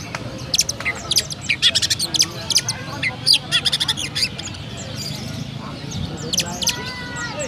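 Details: Kept Oriental magpie-robin in Central Java, Indonesia, delivering sparrow-style chattering: staccato high chirps repeated rapidly for several seconds, then a few drawn-out whistles near the end.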